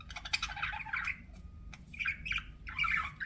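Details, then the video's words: Pet budgerigar chirping: a busy run of short squawky chirps and warbled notes for about a second, a pause with a faint thin tone, then two more bursts of scratchy chattering chirps. "BUDGIE SOUNDS"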